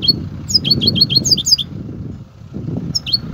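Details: European goldfinch in kobia song: a fast run of repeated bright, dipping twitters, then a pause and a brief return of the notes over low background hum.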